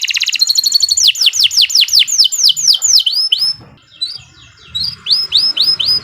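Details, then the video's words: Canary song recorded as a lure for training: quick rattled trill, then a rolling series of looping whistled notes about four per second, a short pause, and more looping notes. "Kicau Burung Kenari 122 II LUAR BIASA GACOR PANJANG Cocok untuk Masteran"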